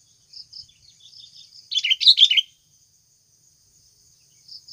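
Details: Wild Sooty-headed bulbul sound captured as a trapping lure: a loud cluster of quick chirps in the middle, with softer scattered notes before and after and a thin high insect hum throughout.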